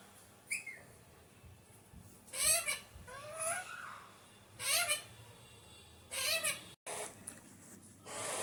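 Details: Repeated harsh, harmonic squawks from an Alexandrine parakeet, described as a naughty parrot, with five or so rising calls over several seconds, plus a short high chirp at the start.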